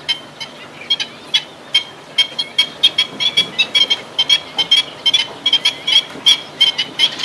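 Black-winged stilts give sharp, yelping kek notes, about two or three a second in irregular bursts, over a thin steady high whine in the background.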